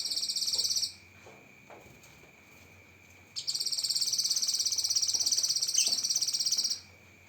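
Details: Cucak kinoi song for training songbirds, full of 'tembakan' shots: a rapid high trill ending near one second, a gap, then a long pulsed buzzy trill of about three seconds, over a constant high tone.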